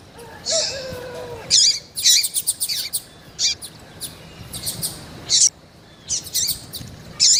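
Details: Female variable seedeater calling while in heat, giving sharp high chirps and buzzy squeaks in irregular bursts; a lower wavering whistle opens the sequence.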